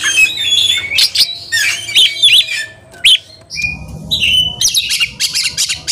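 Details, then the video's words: Kacer, an Oriental magpie-robin, singing energetically while agitated and searching for a fighting rival; dense run of chattering whistles, then a steady whistled note and rapid scratchy trills. "EMOSI MELEDAK KEPANASAN || kacer gacor cari lawan tarung"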